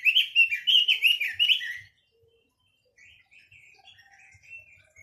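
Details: Chinese hwamei delivering a loud two-second flourish of fast, looping whistles, then a pause and quieter, scattered warbled notes; occasional low taps.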